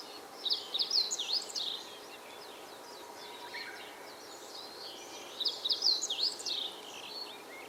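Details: Spring song of a meadow bunting, recorded 19 April 2022 in Yosano, Japan. Two rapid, tumbling phrases of sharp high notes, each about a second long and roughly five seconds apart, over faint constant hiss.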